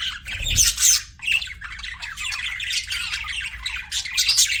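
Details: Budgerigars chattering with loud, harsh squawks and squeaky chirps, a soft low thump just after the half-second mark, then continuous scratchy twittering to the end.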